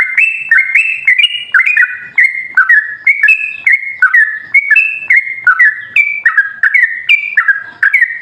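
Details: Sooty-headed bulbul song meant to trigger other bulbuls into singing: a steady run of clear, slurred whistled notes, each dropping then lifting, repeated about every half second.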